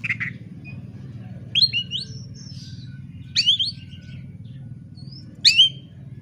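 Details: Fighting kacer, an Oriental magpie-robin, singing to provoke a rival: short bright whistled phrases with rising and falling notes, spaced about two seconds apart, over a constant low droning background.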